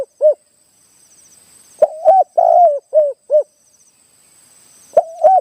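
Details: Wild target Spotted Dove, down from the mountain and small-voiced in the khaarom style, answering a caged decoy during a trapping session: low hollow coos in short repeated phrases, with a faint steady high whine and a couple of sharp clicks.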